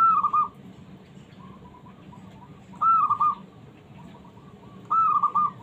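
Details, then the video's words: Small, combative zebra dove calling to challenge other doves and make silent ones answer: three clear, purring, stuttered coo phrases roughly two seconds apart, each a quick rising note breaking into a rapid rolling trill. "suara burung perkutut kecil mencari lawan coba buktikan perkutut males bunyi ikut nyaut"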